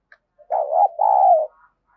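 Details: Spotted dove used as a decoy to incite rival males, giving a loud two-part throaty coo lasting about one second, the first part wavering and the second held and slightly falling.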